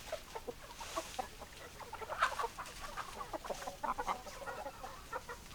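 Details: Hens in a group clucking, rapid overlapping clucks with a louder cackle burst midway, constant faint background noise.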